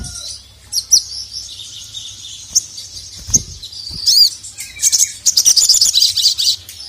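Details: Crimson sunbird calling the male, a recording meant to rouse sluggish caged birds: sparse, high, thin notes, one quick up-and-down whistle, then a rapid run of dense, high chirping.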